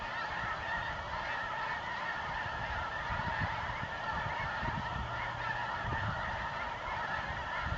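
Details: Snow Geese arriving from feeding fields to join resting flocks at dusk, New Mexico winter quarters, November 2014; a thick, sustained honking chorus from countless birds, with soft low rumbles underneath.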